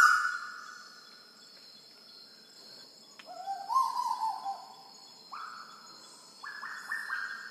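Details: Black-billed koel on Sulawesi giving a run of clear whistled notes, some flat, some stepping upward, overlapping one another and swelling toward the end, over a steady high insect-like hum.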